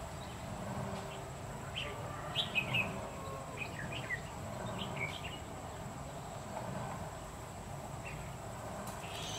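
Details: Red-whiskered bulbul at a trapping site in Nghệ An, Vietnam, 2 October 2019, where a decoy bird draws in wild birds. Clusters of quick chirpy, warbled notes appear several times across the recording, set against constant low background noise and a faint steady high tone.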